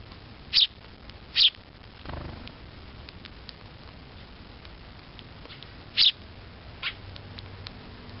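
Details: Baby sparrow in Japan calling to its mother, described as a "che, che" call: three loud, sharp, high chirps, the second about a second after the first and the last near six seconds, with faint ticks between over quiet background.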